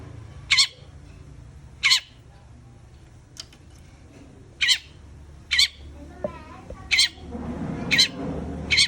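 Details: Long-tailed shrike uttering loud, grating rasps spaced roughly one to one and a half seconds apart, with faint softer twitters between them and a low steady hum behind.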